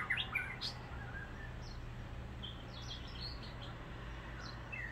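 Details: White-rumped shama, possibly, though the owner is unsure of the species, singing outside windows on Kauai: loose phrases of clear whistled and slurred notes, rising and falling, with scattered chirps over a low steady hum from recording through a fan wall.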